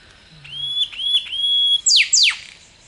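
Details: A whipbird, also called rifle bird, in thick scrub along a bush track in a national park near Sydney, Australia, gives three long, steady, pure whistles, then two sharp whip-crack notes plunging steeply from very high to low.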